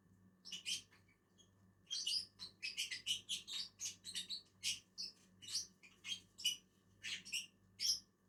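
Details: Two lovebirds eating on a tree keep up a rapid, chattering series of short, high, squeaky chirps, several per second in places, over a faint low hum.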